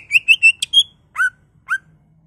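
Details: Greater green leafbird in full 'bongkar isian' song, used as a lure to stimulate other leafbirds to sing: five quick clear whistled notes in a rising series, then two separate lower slurred whistles after a pause, quiet background.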